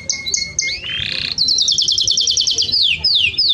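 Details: Domestic canary song used to tutor chicks: short high notes, a brief rough burst, then a fast bright trill of repeated chirps, finishing with descending whistled slurs.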